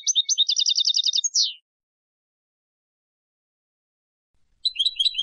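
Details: Turkish goldfinch from Istanbul, Turkey, singing: a quick run of evenly repeated high tinkling notes ending in a short downward slur, then silence before another twittering burst begins.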